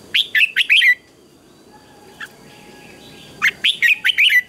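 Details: Red-whiskered bulbul in a morning singing contest gives two lively phrases of rapid, bubbling whistled notes, each falling at the close, with a short chirp between them and steady hiss.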